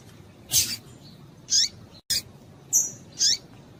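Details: Calling female rusty-collared seedeater, used to heat up and stimulate males: five quick, piercing chip notes within four seconds, a couple with a short rising tail, over soft low background noise.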